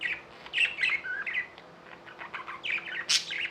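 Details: Budgerigars twittering softly: wavy, slurred chirps and short buzzy notes, a sharp high call near the end, faint hum behind.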